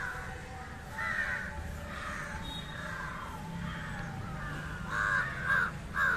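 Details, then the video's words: Indian jungle crow, feeding on fish, repeats rough caws roughly twice a second, growing louder toward the end with three strong, grating calls, low background murmur throughout. "Indian Jungle crow (Corvus culminatus) Call and behavior feeding on Fish"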